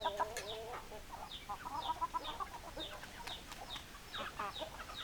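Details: Flock of hens clucking, with overlapping short chattering clucks and a few higher squawks throughout, fairly quiet against steady background noise.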